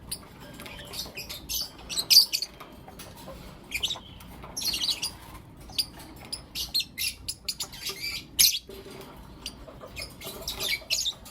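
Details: Lovebirds, blue opaline and lutino opaline colour forms, kept as pets, chirping in the morning: dense runs of sharp, harsh high chirps and squawks in quick irregular bursts, some notes overlapping, with a quiet room behind.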